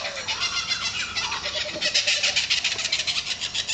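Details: Laughing kookaburras in trees break into a laugh, opening with a few lower chuckles before rising into a loud, rapid, rolling cackle from multiple birds.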